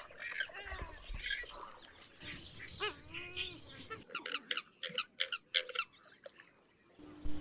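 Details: Grey-headed swamphen (Porphyrio poliocephalus), a resident of Kerala wetlands and marshes, giving nasal, honking, wavering cackles, then a burst of sharp, harsh clicking shrieks; a faint voice early on.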